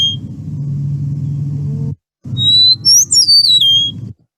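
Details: An Eastern Meadowlark gives its breeding-season song, heard as "spring of the year": one phrase of clear, slurred whistles, very high and sliding downward in under two seconds, over a steady low hum.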